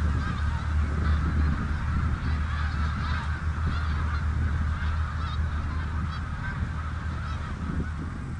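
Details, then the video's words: Many snow geese calling together on the Richelieu River, countless overlapping honks forming a constant din, a few clearer yelps standing out, over deep steady rumble. "Snow greese on Richelieu r"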